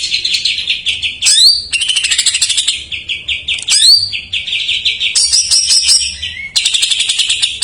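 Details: Isian song of a greater green leafbird filled with jamtrok phrases, used as a lure for untrained or non-singing birds; high rattling trills alternating with quick upward-sweeping whistles, in phrases of one to two seconds.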